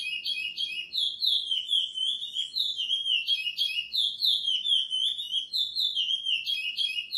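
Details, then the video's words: Tutor recording of a brown-plumaged Chestnut-bellied seed finch singing the praia style: continuous sweet warbling whistles, short sliding notes chained together with a few sharper accented elements. "Curió Pardo Edição para encarte praia"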